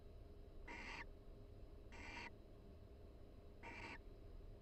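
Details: Barn owl mates chatting quietly inside a nest box at the University of Florida while preening; three evenly spaced breathy, hissing notes over a low constant hum.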